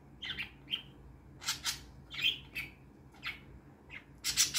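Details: Three pet parakeets, one white and blue, one blue and one albino, chirp while playing in the morning: quick, high, scratchy bursts, about two or three a second, with a few harsher squawks mixed in, over a faint indoor hum.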